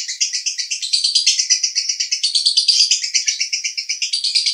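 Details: Male lovebird, Cibinong, Bogor, in konslet style: a nonstop, quick, rattling trill of sharp high notes at about three pulses a second, slightly rising and falling in pitch.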